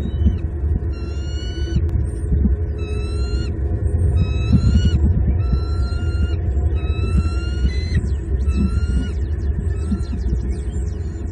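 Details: At a Southwest Florida nest on 6 January 2022, bald eagles tend and feed their eaglets, watched by a live nest cam; a series of high, thin, slightly falling chittering notes repeats roughly every second, over constant low wind rumble.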